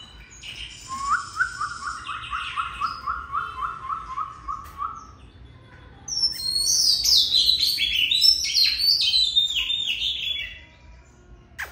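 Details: Oriental magpie-robin kept caged at home: a long steady series of about fifteen repeated slurred whistles, a brief lull, then an energetic high, squeaky warbling passage.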